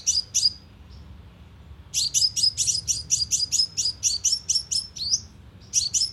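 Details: Energetic sunbird call used as a trapping lure: two sharp high chips, a pause, then a fast even series of about a dozen piercing notes, ending after another short gap.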